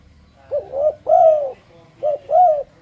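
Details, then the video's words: Spotted dove calling to induce other doves to sing along: two clear phrases of low cooing, each a short hiccuping double note leading into a longer, fuller, slightly bowed coo. "A turledove makes a beautiful sound."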